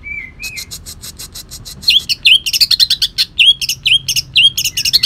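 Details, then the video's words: Kalimantan leafbird (cucak ijo) singing in a rough, bursting style, its song filled with imitations of long-tailed shrike; two thin whistled notes open, then rapid loud harsh chips and upslurred whistles repeated about twice a second. "cucak ijo kalimantan tembakan kasar"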